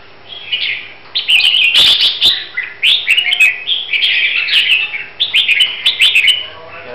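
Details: Red-whiskered bulbul from Huế, Vietnam, prepared for a singing competition, delivering rich warbled phrases of slurred, bubbling notes in quick succession, with a few sharp clicks in the background.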